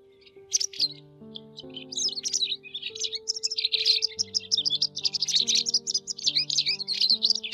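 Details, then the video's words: White wagtail lure recording made for netting migrating birds in the 2020 season: after a quiet start, a dense stream of high, sharp chirps and twitters builds and continues over steady background music of held low tones. "Tiếng Chìa Vôi Trắng"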